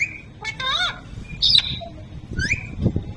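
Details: Talking parrot producing speech-like, voiced syllables with rising and falling tones, mixed with sharper high squeaky notes, over a steady low background rumble.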